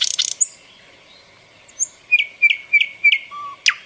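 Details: Nightingale in summer, a short song fragment: a few high chirps, then a steady thin whistle overlaid by four evenly spaced sharp notes about a third of a second apart, and a low brief whistle near the end.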